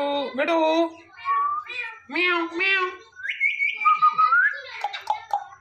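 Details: Indian ringneck parrot talking, mimicking a cat's meow: drawn-out nasal, voice-like meows, then a rising squeaky whistle and chattering notes, indoors and close.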